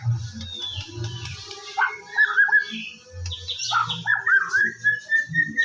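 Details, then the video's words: Morning song of a white-rumped shama, a lure to start other birds singing: scattered whistles, then clustered sliding notes and a sustained whistle at the end, over intermittent low thuds. "PANCINGAN BURUNG MURAI BATU DIPAGI HARI AGAR GACOR"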